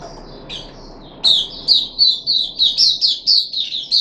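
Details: Puff-backed bulbul kept in a cage, third day of a deworming course, 14 July 2021: faint high notes at first, then a steady run of bright, sharp chirps repeated about every third of a second.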